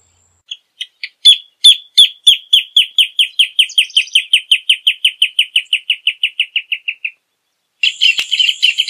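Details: Rufous hornero song: a few spaced notes quicken into a long run of loud, downward-sliding notes that gradually slow and fade, followed by a short, loud chattering burst.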